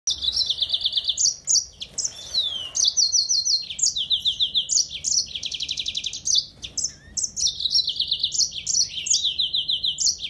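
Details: Yellow-fronted canary singing a lively, high, continuous song of sweet whistled phrases broken by fast buzzy trills, with brief downslurred notes, over a faint low background rumble.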